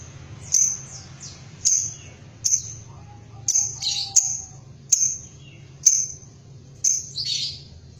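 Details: Lovebird kept as a home songbird: sharp, very high chirps repeated roughly once a second, each a short bright note, with a faint low hum underneath.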